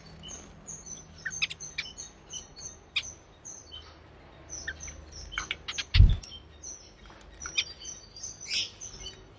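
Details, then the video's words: Timor zebra finches, male song and female calls, recorded 4 January 2020; rapid series of short high piping notes repeated in rows, interspersed with brief nasal chirps and a buzzy burst near the end, one loud knock midway. "Timor Zebra Finch's Singing and Sounds - Male & Female Finches"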